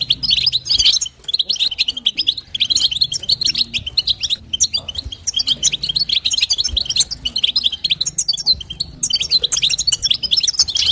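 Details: European goldfinch, a female calling to stimulate the male: dense run of bright twittering chirps and short trills between 2 and 8k, rapid and almost continuous, with brief pauses near one and nine seconds; faint low hum underneath.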